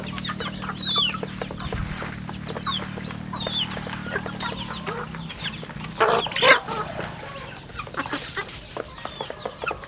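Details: Rural farm chicks cheep in high, short downward notes amid rustling and clucks, with a loud scuffle of movement partway through and a hum fading after the first half.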